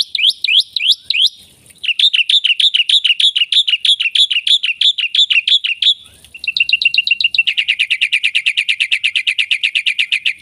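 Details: Black-winged myna in energetic full song rich in varied fill phrases: a fast stream of sharp, repeated chirps, then a brief break before an even quicker, rattling series of high notes.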